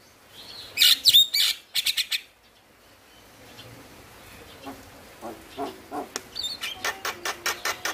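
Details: Male Javan myna singing as a prompt for reluctant birds: loud harsh broadband bursts and a whistled note early, a quiet gap, then a run of shorter clicky, chattering notes building toward the end.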